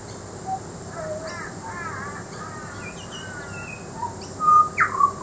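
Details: Butcherbird singing at Peachester, Queensland: scattered soft fluty notes and short warbled phrases, closing with several louder clear whistles, one sliding down sharply, over a steady high hiss.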